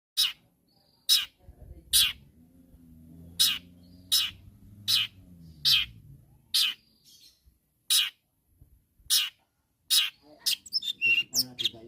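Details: Long-tailed shrike calling to rivals: loud, harsh, broadband rasping notes repeated about once a second in an even series, with a low hum underneath in the middle and a burst of chattering near the end.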